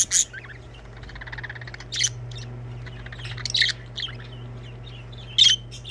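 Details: Budgerigars singing, a mix of buzzy chattering notes and sharp high chirps in short bursts, loudest at the opening, near two seconds and near the end, with a constant low hum behind.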